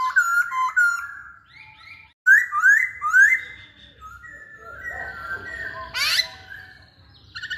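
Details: Vocal masked laughingthrush whose song serves to get other birds singing: clear whistled phrases, upward-swept slurs after a short break, softer flat whistles, then a harsh noisy burst and a final bright note.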